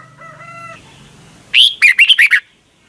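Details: Caged Red-whiskered Bulbul in Thailand, its song used to teach young birds every morning: after a steady humming tone, one burst of six fast, bright, up-and-down chirped notes.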